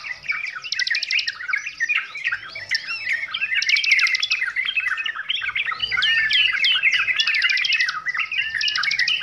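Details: Sooty-headed bulbul in noisy song, used as a tutor recording for training birds: short liquid whistled notes and rising slurs at mid pitch, with bursts of fast buzzy high trills from other birds layered over them.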